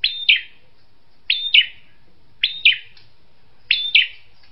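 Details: Drongo repeating a paired call, a clear whistled note then a harsher chip, roughly every 1.2 seconds, four times over, against near silence.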